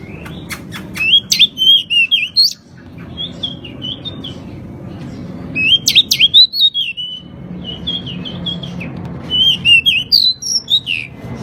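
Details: Pied bushchat singing energetically for cage-bird song training. Bursts of sharp clicks lead into fast warbled whistles, repeated in three bouts over a steady low background hum.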